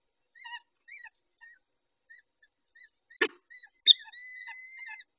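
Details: At a peregrine falcon nest where the male tends the females, 19:40, 23-05-21: short faint whistled notes spaced about half a second apart, a sharp click, then a long, steady, harmonic whistle.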